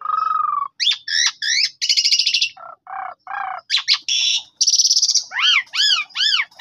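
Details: Black-winged starling song played as a lure so a silent bird answers: a low whistle, clustered sharp chips, buzzy trills, nasal lower notes and a closing series of arched whistled calls.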